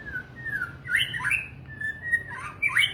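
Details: White-rumped shama giving slurred whistles: long gliding notes dropping then sweeping sharply upward, a twisting phrase repeated twice over low background hum.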